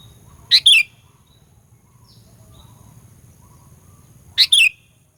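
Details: Sooty-headed bulbul, a lure recording of a vocal fighter bird meant to provoke rival bulbuls: two loud, sharp two-part chirps about four seconds apart, each a short burst then a slurred descending note, over faint low hum.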